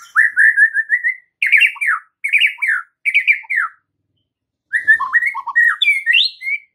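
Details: White-rumped shama song used to train other shamas to respond: a loud chain of rapid, repeated downslurred notes in four short bursts, a pause, then a more varied phrase of rising whistles.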